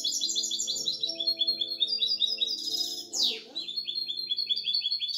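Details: A six-month-old goldfinch-canary mule sings a fast, high twittering song of rapid trills and chips, with one sharp downward sweep midway, over a faint steady low hum or music.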